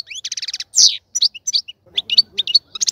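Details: Caged European goldfinch, while a breeding cage is being readied, delivering a fast jumble of buzzy trills, liquid twitters and short whistled notes, with a brief harsh rasp near the start.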